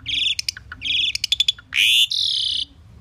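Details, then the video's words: Common pied myna singing: buzzy, rasping phrases broken by quick clicks, then a long harsh rasp followed by a steady buzzy note, with a quiet low hum underneath. "Common pied myna bird song /Indian maina sound /mynah singing / starling pied bird"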